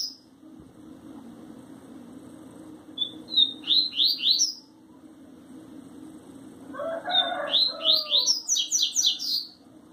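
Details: Double-collared seedeater (coleiro), a captive bird, sings a "tui tui zel zel" song in two bursts of quick, high, rising whistled notes, repeated several times each, over a steady low hum.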